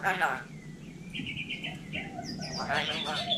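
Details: Hill myna from Vietnam mimicking human talk: a rough, voice-like burst opens, level whistled notes follow, and a second speech-like harmonic phrase closes, with constant low rumbling behind.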